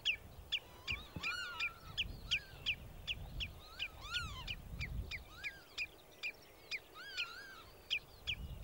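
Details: Common redshank in Sweden giving warning calls, with a Northern Lapwing in the background. Rapid, fairly irregular series of short high piping notes, about three per second, over arched lower calls and a faint rumble.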